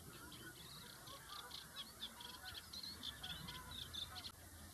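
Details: Sand martins chattering continuously: dense, high, scratchy twitters crowd together in quick succession, with a fainter lower honking-like call running beneath them.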